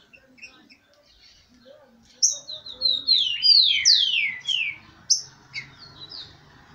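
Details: Excited male tico-tico, or rufous-collared sparrow, from a breeder's birds kept with females: after quiet faint chirps, a sudden loud volley of sharp, downward-sweeping whistled notes, then a few separate high chips.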